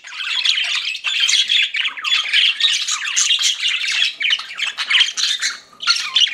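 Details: Chirping pet budgerigars in a steady flock chatter: rasping warbles and quick squeaky notes run in bursts with brief gaps near the start and end.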